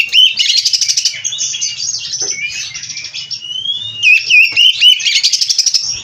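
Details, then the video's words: Oriental magpie-robin (kacer) from a breeder, singing fast: buzzy rattles alternate with long drawn rising whistles and a few crisp looping notes, rattles pulsing about four times a second. "Burung Kacer Gacor Full isian"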